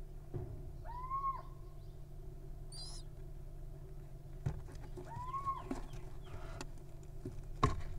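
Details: Wild little owl nestlings calling: two tonal, upslurred mewing calls, each rising then levelling off, spaced about four seconds apart, with a brief high squeak between them over a steady low background hum.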